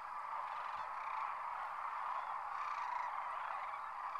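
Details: At Whitewater Draw in McNeal, Arizona, a huge winter gathering of sandhill cranes lifts off; continuous overlapping calls make a dense murmuring roar, with individual rolling notes surfacing faintly now and then.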